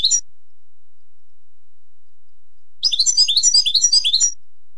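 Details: Maknin, the European goldfinch, singing as a tutor model for young goldfinches: a brief twitter at the start, a long silence, then about one and a half seconds of quick, jingling, chattering notes.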